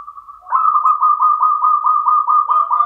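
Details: Local zebra dove, a champion bird, singing in the standard Mataram rhythm style: a steady mid-pitched tone broken by rapid, evenly spaced cooing pulses, about five per second, that run continuously through the phrase.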